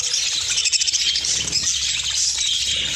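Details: Caged budgerigars reacting to fresh corn placed in their cage, a dense, continuous chorus of high, rapid chirps and chattering warbles from many birds at once.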